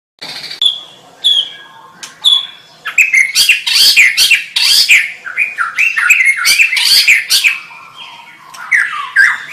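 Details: White-rumped shama song: whistled phrases near 2–4k giving way to a dense, loud run of varied slurred notes and sharp harsh bursts, rising and falling, with brief pauses between bursts.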